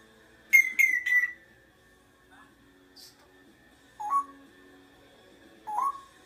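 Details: Talking parrot uttering a quick run of three falling whistled notes, then two separate rising whistles after a pause, in otherwise quiet surroundings.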